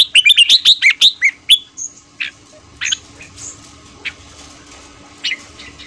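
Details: Red-whiskered bulbul morning song in the fast ché style, used for voice training and to excite newly caught birds: a rapid run of bright warbled whistled notes for over a second, then scattered sharp chirps against quiet background.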